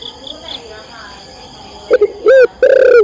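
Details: Female spotted dove calling to the male: after faint background, a few short soft notes lead into two loud, husky, bent coos near the end, over a steady high electronic whine.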